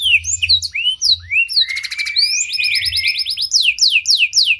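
A canary sings a fast, varied song of upslurred whistles, rolling trills and a brief buzzy burst, with a faint low hum underneath.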